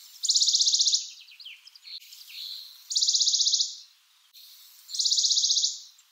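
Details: Western Bonelli's warbler: short, dry, buzzy high-pitched trills, each under a second, repeated at intervals of roughly two seconds, with faint softer notes between bursts.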